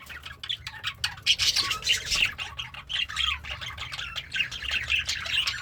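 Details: Pet budgie chirping and singing happily while eating greens; a soft continuous warble of clicks, buzzy notes and brief whistled tones, steady and fairly quiet throughout.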